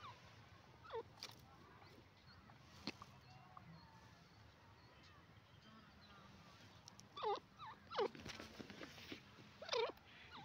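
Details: Calls of a francolin pair: brief, inflected, nasal notes, one early and then a quick cluster of three near the end. Steady background hiss and a few sharp clicks.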